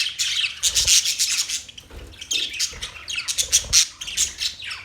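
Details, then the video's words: Budgerigars producing grating, rasping chatter with bright, sharp chirps and squeaky whistles, broken into clustered bursts, alongside faint low thumps. "Budgies singing | Budgies sounds | Budgies talking | Budgies chirping sounds"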